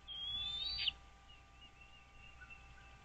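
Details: Nest-camera capture of wild American bald eagles on Dale Hollow Lake, a reservoir straddling Kentucky and Tennessee, morning of 09.04.2023: a single high, slightly rising whistle, then only faint distant notes and a steady hum.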